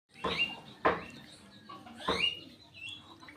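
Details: Javan myna singing a song filled with cough-like imitations: three harsh, broadband rasping bursts, each ending in a short upward whistled note, spaced about a second apart, with scratchy chatter between them.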